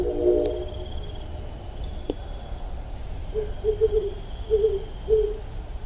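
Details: Great horned owl hooting in eastern Massachusetts, a series of low, soft, muffled hoots, one longer then several shorter ones spaced about half a second apart, over steady background hiss and a brief click.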